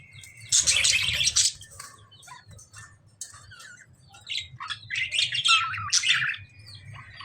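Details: Lovebirds in a dangerous fight with budgies give loud, raspy screeching bursts, a harsh squawking outburst early, then a run of shrill, uneven chatter and squeals, over a low background hum.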